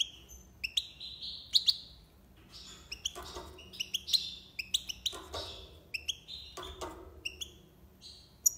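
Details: European goldfinch in Algiers singing tiwawati style: a fast, chattering run of liquid twitters, buzzy notes and sharp chips, fairly continuous, with low background hum.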